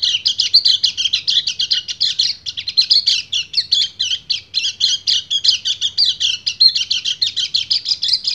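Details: Male white-eye in ngecir song, calling to a breeding-condition female: sustained high-pitched twittering and scratchy chirps, delivered rapidly and without pause from start to finish.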